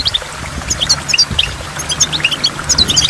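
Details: Goldfinch by a waterfall, giving quick high chirps and bright twittered notes in loose bursts, while water rumbles and splashes low underneath.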